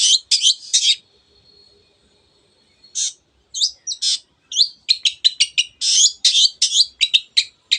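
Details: Energetic long-tailed shrike song meant to rouse other birds into singing: a few scratchy high notes, then a gap, then a long rapid string of sharp, buzzy chips that grows steadily denser toward the end.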